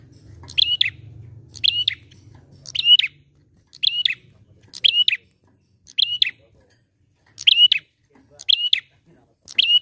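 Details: Bar-winged prinia recording made to coax other birds into song. A low hum fades in the first seconds. After that, crisp, high, doubled chirps repeat steadily about every second, evenly spaced and alike in shape.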